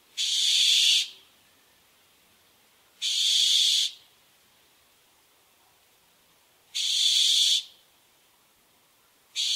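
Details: Barn owl repeating a harsh, hissing screech roughly every three seconds, each burst about a second long, with faint background hiss between calls.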